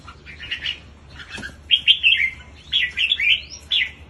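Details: Red-whiskered bulbul in a song contest, singing short bursts of liquid, warbling whistled notes that dip and rise, grouped into two phrases with a brief pause between them.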